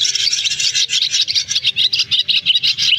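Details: Black and white-bellied swiftlets summoning the flock to roost, a trapping lure from August 2024; harsh, grating high chatter breaks into short rapid bursts, densely overlapping.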